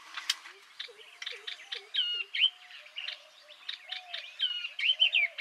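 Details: Chattering yellow-eyed babbler song: quick chirps and hooked whistled notes, repeated in uneven bursts that grow louder toward the close. A few quiet low whistles sound in the first half.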